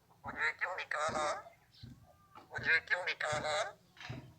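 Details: Talking Alexandrine parakeet imitating Urdu, Hindi or Arabic words, giving two runs of quick, voice-like syllables with bright harmonics, parted by a near-silent gap.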